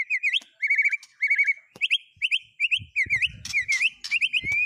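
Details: Shama (murai batu) song built from mimicry of cililin, canary and lovebird: rapid whistled triplets repeated in short bursts, rising slurred notes and occasional harsh buzzy accents.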